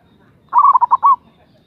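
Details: Local zebra dove, an active caller with a big voice, used as a lure to call a rival: one quick phrase of about six throaty, bubbling coo notes, the last note longest, on a quiet background.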